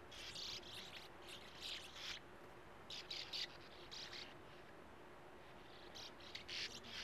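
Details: Sand martin young at breeding burrows dug in a small earth bank by a gravel-pit lake, waiting at burrow entrances with open beaks for parents: dry, scratchy, rasping twitters in short overlapping bursts over a steady low hiss.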